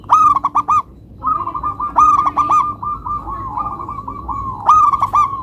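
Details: Local zebra dove, close and loud: crisp, ringing coos in a quick stuttering run, then a longer rolling trill that wavers on for several seconds before another sharp burst of notes. Light background hum.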